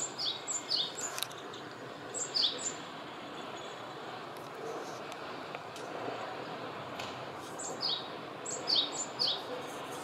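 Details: Male Japanese tit singing in a mandarin orchard: two bursts of thin, high two-note phrases, each note sliding downward, repeated three or four times per burst with a long pause between, over steady rural hiss.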